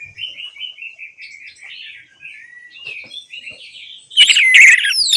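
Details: Orange-headed thrush song for getting silent thrushes to sing: a long series of soft, evenly paced warbled notes, ending in a sudden loud outburst of bright whistles and chatter.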